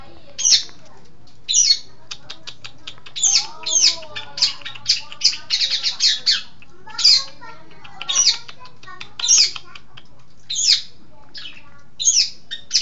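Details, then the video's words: Long-tailed shrike from East Java sings a long, varied sequence of harsh rasps, sharp clicks and high sweeping notes, with a fast chattering burst in the middle and spaced scratchy phrases afterward. "Burung Pentet Jawa Timur Cerdas Gacor"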